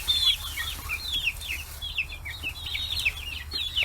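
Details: Free-range chicks, 40 days old, gathered around fish heads in Hiroshima Prefecture, Japan: a dense chorus of shrill, bending peeps, some rising then falling, over a faint low drone.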